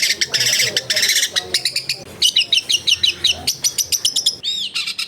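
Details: Long-tailed shrike singing in a masteran training recording from a densely populated neighbourhood: rapid harsh chattering and scratchy notes, then a fast series of sharp repeated chips and a short whistled slur.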